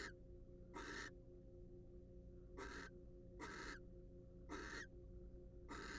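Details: Wild barn owl in a monitored nest box utters six broadband, breathy screeches at uneven intervals, each short and harsh, with a low constant hum behind them.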